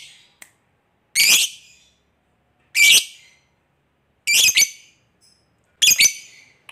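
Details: Lovebird calling to other lovebirds so they answer, in the koek ngetik style that leads into ngekek: four loud, piercing shrieks about one and a half seconds apart, with silence between them.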